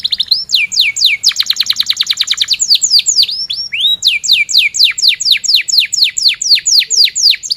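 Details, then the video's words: Loud canary song, gacor 'cuit cuit' type for teaching young or mute canaries: repeated down-swooping chirps broken by a very fast rolling trill, then more steady descending chirps. "Kenari gacor cuit cuit NgeroL, Pancingan kenari paud belajar bunyi,Pancingan Kenari BISU Susah Bunyi"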